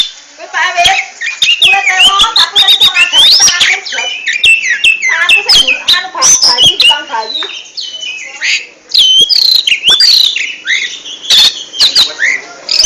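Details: Long, busy ngentrok song from an oriental magpie-robin, mixing high whistles, lower warbled notes, harsh chatters and clicking ticks in a nearly continuous outpouring with only short breaks.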